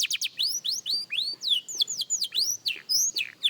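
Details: Young canary practising with a lively jumble of rapid whistled slurs, some rising and some falling, closely spaced and varied in pitch across the short passage.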